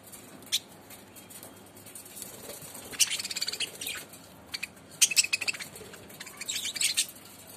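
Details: Budgerigars chirp in quick, high, scratchy bursts with short pauses between while eating green leaves from a hand.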